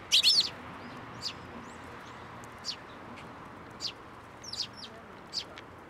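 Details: Sparrows landing on a hand for food at a Tenmangu shrine, 10 June 2024; a loud burst of chirping at the start, then sparse, quieter single tweets.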